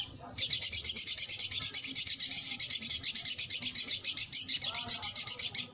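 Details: Energetic song from a sogok ontong, one continuous, very high, rapid trill of pulsing notes sustained for over five seconds without a break, with a brief soft twitter underneath near the end.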